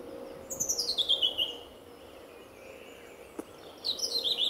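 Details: Early-morning February song thrush at RSPB Fowlmere before sunrise; a rapid run of notes tumbles downward in pitch, falls silent for two seconds, then the descending run starts again.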